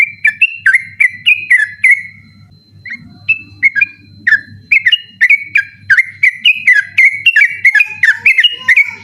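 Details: Night-time 'ropel' song of a yellow-vented bulbul, recorded as a master tape for night contest birds; rapid chains of liquid whistled phrases, a brief pause with a few scattered notes near the two-second mark, then a fast run again, over faint hum.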